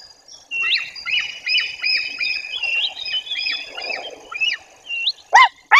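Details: White-tailed eagle at a nest in Bory Tucholskie, Poland, in 2024, calling while a female chases an intruding eagle away from the nest: a fast series of short yelping notes, with a few sharp louder calls near the end.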